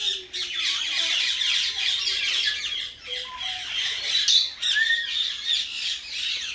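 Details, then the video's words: Common myna, a tame pet bird, keeps up a continuous grating squawk, broken by a few short whistled notes and a brief rising whistle near the end. "Common Myna Talking"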